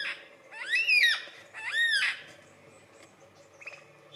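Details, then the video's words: Australian lyrebird mimicking other birds as part of its courtship dance; two loud arched, ringing notes sweeping up and falling, about one second apart, followed by faint chips. "Australian Lyrebird magnificent calls"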